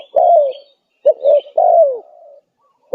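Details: Spotted dove cooing persistently on a lure track for wild doves: long falling coos and a broken double note in close succession, with soft high chattering of other small birds above.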